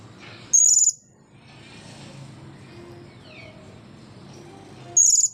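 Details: Blue-crowned hanging parrot, dry after bathing, utters a single sharp high-pitched squeak, then stays quiet for about four seconds before another similar piercing note; soft background noise fills the gap.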